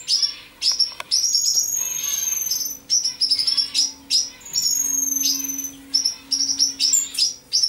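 Common Chaffinch singing in quick bright bursts of high chirping notes, repeated almost without pause, over a low steady hum.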